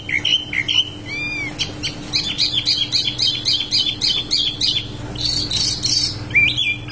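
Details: A wambi mini in full rolling song gives high chirps and two clear arched whistles, then a rapid even series of sharp notes before slurred whistles close the phrase; a soft hum runs throughout.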